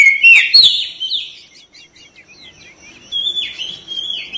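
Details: Kacer, the Oriental magpie-robin, singing vigorously: a loud burst of whistles and chirps, a lull of soft ticking notes, then repeated drawn-out whistled phrases.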